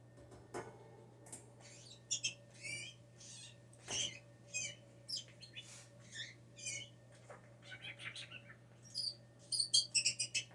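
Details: Hand-raised blue jay, rescued after falling from the nest as a tiny chick, kept indoors and known for mimicking human speech and sneezes; a jumble of short, varied high chattering notes and squeaks over a steady low hum.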